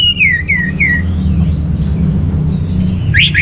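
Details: Song of an Orange-headed thrush from northern Bali, used as lure and tutor for caged birds: three clear down-slurred whistles in quick succession, a quieter stretch, then two sharp rising notes, over a low background hum.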